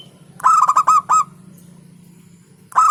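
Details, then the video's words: Local zebra dove with forceful song. One loud phrase of four or five clipped, rolling notes is followed by a pause, then the next phrase begins, over a low humming background. "Hentakan Burung Perkutut LOKAL Suaranya Berkelas"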